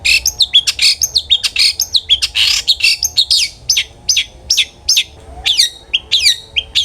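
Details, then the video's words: Long-tailed shrike in dense 'ngeplong' gacor lure song, meant to stir other shrikes to sing: a fast jumble of harsh notes and high slurred whistles, then spaced sharp chirps. "cendet gacor NGEPLONG sangat ampuh buat PANCINGAN cendet agar RAJIN BUNYI"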